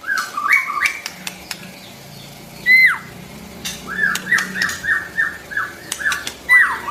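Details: Song of a white-rumped shama, used to coach young birds: evenly repeated downslurred whistles with a few sharp clicks, over a soft low hum.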